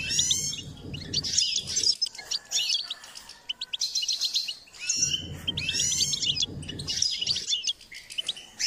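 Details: Goldfinch singing in a song-training context: bursts of rapid, bright twittering and jingling notes, high-pitched and tumbling, broken by short pauses, with low rumbling background noise during some phrases.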